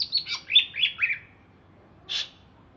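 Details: Greater green leafbird from Alas Purwo, Banyuwangi, after a bath: a quick run of five falling warbled chirps, then a single short buzzy note after a pause.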